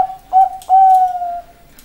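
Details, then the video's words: Zebra dove of the Bangkok type giving a short mellow coo, then a long sustained whistled note that slowly fades, with faint background clicks. "perkutut bangkok suara tergoda"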